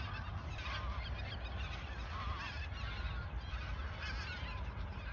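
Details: A massed goose flock in the Ochsenmoor nature reserve in autumn 2022, days before migrating south; dense, continuous honking and chattering calls blur together over a low background rumble.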